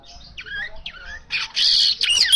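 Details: Asian golden weaver singing vigorously in a natural recording meant to stir kacer birds; a few harsh squawky notes open, then a loud high buzzing rattle takes over.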